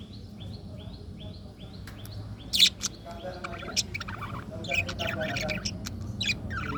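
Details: A string of short, rising chirps repeated evenly at first gives way to scratchy, buzzy chatter from colorful budgies, with one loud squawk near the middle.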